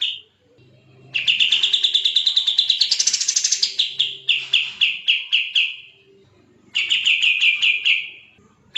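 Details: Dense 'gacor speed rapat' song of a sooty-headed bulbul, used as tutor audio for shamas, leafbirds and magpie-robins. A long rapid string of chips climbs to a harsh buzzy patch, spaces out and fades, then a second fast burst follows after a pause.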